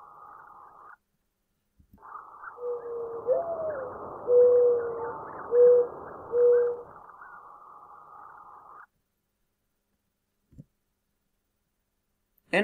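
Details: Mourning dove (Zenaida macroura), a backyard bird, coos: a soft, rising-then-falling opening note followed by three low, even hoots about a second apart, over a steady background hiss.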